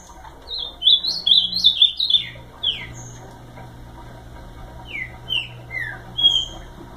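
An ultramarine grosbeak gives a quick, rich warbled phrase of slurred high notes, then a few separate downslurred whistles, over a faint low hum.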